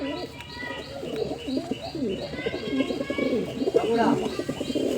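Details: Pigeon giving low, rolling coos that run almost without a break. A thin high note repeats at a steady beat in the background, along with other faint chirps and a low hum.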